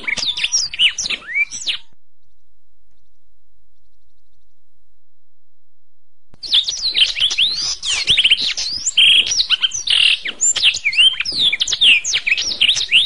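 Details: Canary song recorded as a masteran, a tutoring track for songbirds: a short burst of high chirps and swept whistles, a pause of several seconds, then dense rapid twittering with trills and rising and falling slurred notes.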